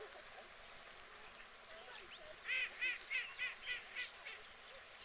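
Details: White geese among UK water birds giving a quick burst of about seven nasal honks in under two seconds, while thin, high whistles from small birds sound faintly throughout.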